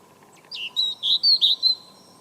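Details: European robin, a tame young bird now grown up, singing in a garden on a cold November 2014 morning: a short phrase of six high, thin chirping notes that waver and drop slightly, over a steady low hum.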